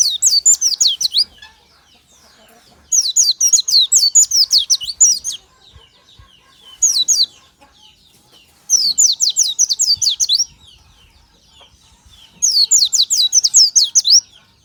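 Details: Oriental white-eye singing in the morning, delivering five bursts of rapid high twittering, each a dense series of quick descending whistled slurs, spaced roughly two seconds apart with quiet gaps.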